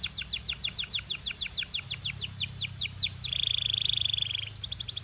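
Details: Belgian canary singing for training: a quick, steady series of descending whistled notes, then a buzzy, rattling sustained note lasting over a second, followed by a thin rapid trill.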